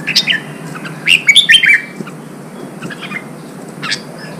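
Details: ['Red-whiskered bulbul, a recently caught bird, being trained for singing contests; a brief chirp, then a lively burst of liquid whistled notes sliding up and down, and later sparse quieter chips.']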